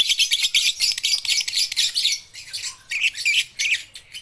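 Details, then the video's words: Juvenile (balibu) and baby lovebirds used as a lure for quiet lovebirds. Loud, continuous, shrill chattering in quick pulses for two seconds, then choppier squeaky bursts and a short lower whistle. "pancingan lovebird balibu - Lovebird paud belajar bunyi"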